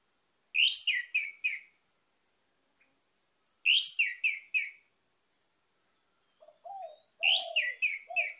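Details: An Orange-headed thrush sings three bright, rich phrases of slurred whistles and chirps about three seconds apart, with a few softer, lower notes near the end.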